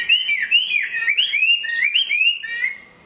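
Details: Brief burst of song from a caged Chinese hwamei in the rain: smooth, powerful looping whistles, each note sliding up then down, delivered in a continuous stream.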